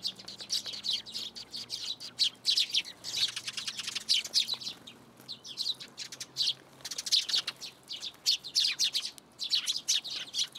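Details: A flock of sparrows arriving at a plum tree in a Tenmangū shrine to get food, 17 June 2022; waves of high, rapid chirping with brief lulls, a faint low hum underneath in the first half.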